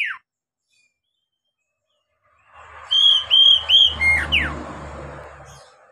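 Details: Oriental magpie-robin song used to train young captive birds to sing: one phrase of three or four clear whistled notes near the top of the range, then falling slurred notes, over a low hum and background hiss.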